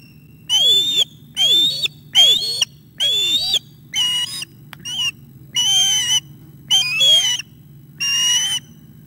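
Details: At the nest on 9 August 2021, late morning, an osprey calls amid a fish delivery and a young bird's attack on the adult male; nine loud, shrill whistles with downward-sweeping ends, background hum.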